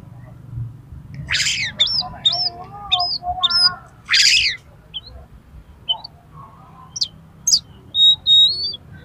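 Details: Excited fighting oriental magpie-robin provoking rivals into fanning their tails: harsh grating bursts alternate with quick hooked whistles and lower warbling notes, ending in thin high whistles and sharp clicks.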